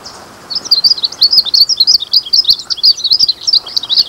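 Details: Glaucous-blue grosbeak (azulinho) song beginning after half a second of quiet, then a lively, unbroken stream of high, sharp chirps and twisting whistled notes, evenly loud to the end.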